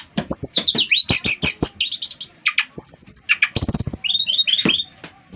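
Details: A brown-chested jungle flycatcher from Bali sings loudly to draw other birds of its kind into song: fast buzzy, scratchy phrases and high chattered notes alternating with brief whistles, with clicks throughout.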